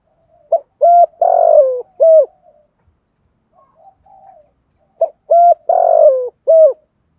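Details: Spotted dove lure cooing, with male and female voices used to stimulate trained doves to coo. Two phrases about four seconds apart: a short note, a level coo, a long rough drawn-out coo, then a falling final note. The room is quiet between phrases.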